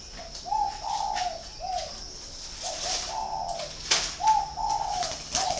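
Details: At a dove farm in Ba Vì, Hanoi, Vietnam, a spotted dove repeats a rounded, resonant cooing phrase about every two seconds. A few sharp clicks and knocks sound in the background.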